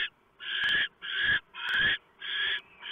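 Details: Barn owlets in the nest before dawn, 3 November 2015, as the male brings a large mouse and the female tears it up; loud raspy hissing screeches, each about half a second, in steady succession.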